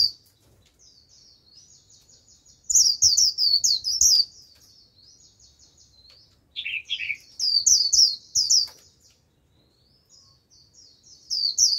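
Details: Lure song from a decoy white-eye calling wild birds: faint high trills leading into energetic bursts of fast, shrill twittering, with a lower, rougher phrase in the middle and another trill at the close.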